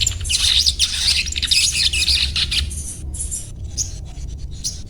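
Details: Little spiderhunter (sogon) delivering a busy stream of high, thin twittering notes for about three seconds, then a few isolated sharp chips after a short lull; soft low hum throughout.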